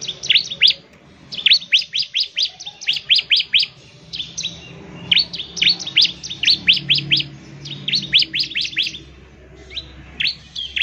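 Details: Ciblek, the bar-winged prinia, pouring out a long burst of ngebren song intended to make other prinias sing: clustered runs of piercing downslurred chips, densely repeated over ten seconds with brief breaks.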